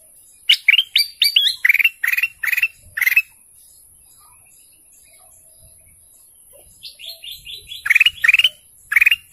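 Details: Golden canary singing: a run of bright rising chirps, then quick pulsed notes in short bursts, a pause of near silence, and a fresh series of rapid repeated notes with rising whistles.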